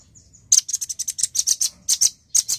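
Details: Male nuthatch in full voice, giving a fast, steady rattle of about fifteen very high, dry chips. After a quiet start they come roughly every tenth of a second, close to clean.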